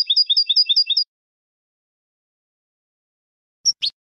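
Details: Goldfinch tutoring phrase: a one-second burst of seven quick, evenly spaced high twin-note chirps, then a long silence broken by two brief sharp twitters near the end.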